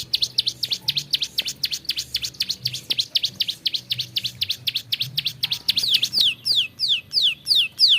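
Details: Bar-winged prinia (prenjak sawah) song variation: fast high chipping about four notes per second, shifting after six seconds to slower, longer descending whistled slurs.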